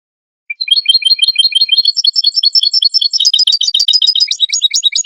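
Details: A European goldfinch lure song for trapping goldfinches. It opens with short, rising chirps in a quick series, then builds into dense, tinkling twittering and jumbled trills that continue to the end.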